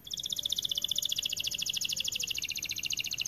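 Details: Singing white AF canary delivering one long, very rapid, even trill of high pulsed notes, unbroken for over three seconds.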